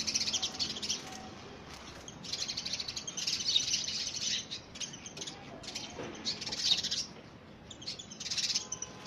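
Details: House sparrows fighting over a nest box in early February, rapid overlapping bursts of harsh, high cheeps from several birds at once, with brief lulls between flurries.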